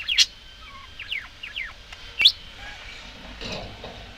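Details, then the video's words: Budgerigars give a burst of clear, loud descending chirps, several in quick succession with one sharp high note. Softer chatter and faint rustling sounds follow. "Волнистые попугайчики (budgies)"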